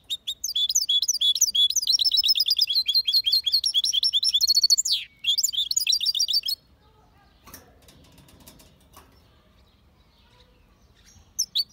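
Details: Goldfinch x canary hybrid (mule) singing a clean, powerful song: rapid runs of bright, high twittering notes, repeated chirps and trills for about six seconds. It breaks off into near silence with faint rustling, then brief chirps return at the end.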